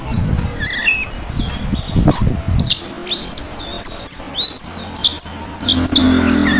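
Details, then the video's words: Male oriental magpie-robin singing as if looking for a rival: a series of sharp, varied whistled phrases and slurred notes, some rising and falling, with pauses between bursts; low rumbling background noise throughout. "burung Kacer cari lawan"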